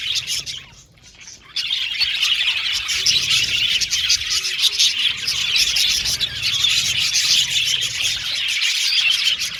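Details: Colony of Australian budgerigars kept in an aviary: after a short quieter moment at the start, a thick wall of high, busy chirping and warbling fills the rest.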